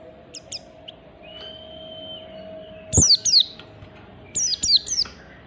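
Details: Oriental white-eye in standard ngalas style, meant to trigger other white-eyes to sing: faint high ticks and a thin level whistle, then two loud downward chirps and a later burst of three quick falling notes.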